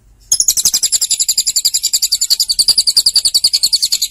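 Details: Lovebird in a long, fast, high-pitched trill: evenly spaced chattering pulses at about three and a half per second, keeping a steady, shrill, buzzy tone for four seconds.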